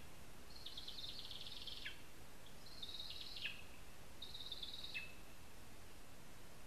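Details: Lesser spotted eagle nesting in a spruce in Zemgale, Latvia: three long, high, wavering whistled whines, each closing with a quick downward drop, spaced roughly every two seconds amid low hiss.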